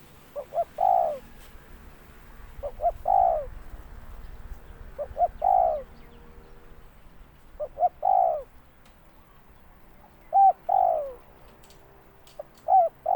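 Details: Spotted dove calling, a repeated cooing phrase: two short low notes followed by a longer falling coo, given six times about every two seconds, with quiet rural background.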